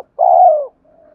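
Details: Spotted dove, a decoy male cooing to provoke fighting and to call a mate, used to spur stubborn wild-caught doves to coo: one long, mellow, slightly falling hoot, followed by a faint, steady, thin tone.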